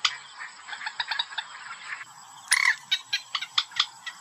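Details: Hunting-lure recording of a white-breasted waterhen: rough, croaking notes repeated in quick succession, then a louder rising squawk followed by a series of evenly spaced harsh pulses.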